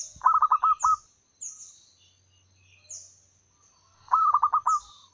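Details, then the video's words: Wild local zebra dove, used as a lure to call males, giving two bursts of rapid stuttering coos, each a quick run of five or six clipped notes, a few seconds apart, with high thin chirps from other birds above. "suara pancingan ampuh perkutut lokal alam liar gacor panjang memanggil jantan"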